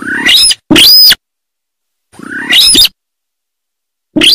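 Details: Sintar bird giving paired harsh calls: a rasping note that slides upward, followed by a loud arched screech, repeated after a pause. The background is silent.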